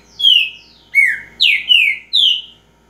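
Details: Green-winged saltator in repetidor song: five full, slurred whistles descending in pitch, the middle two given in quick succession, others about half a second apart, clean background.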